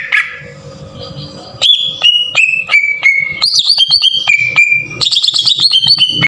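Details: Green leafbird singing rough lure phrases to stir other leafbirds. After a quiet start, clicked whistled notes descend in steps, then bright quavering trills and fast ticking whistles follow.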